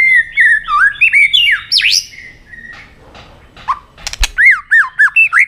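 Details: White-rumped shama singing competitively with many varied voices: rich whistled phrases sweeping up and down, a loud downward slur, a brief quiet gap with a snap, then a fast run of looping whistles.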